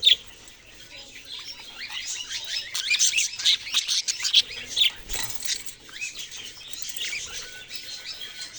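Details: Budgerigars give quick rising chirps and sharp squeaks over a softer twittering background. The chorus builds after a quiet start.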